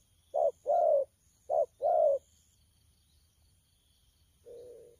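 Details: Young spotted dove (bổi) in the thổ pha cooing style, recorded 12 October 2019: two short-then-long paired coos, low and hollow, the long notes sliding slightly down, then a fainter coo after a pause.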